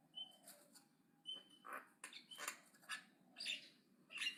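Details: Aggressive Javan myna chattering loudly: steady, uneven series of harsh squawks mixed with brief clear whistles and gurgling notes, roughly one or two notes each second.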